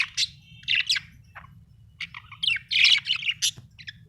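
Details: Home budgerigars warbling in irregular, scratchy chirps and short squeaky notes, louder near the end, with a steady low-pitched hum throughout.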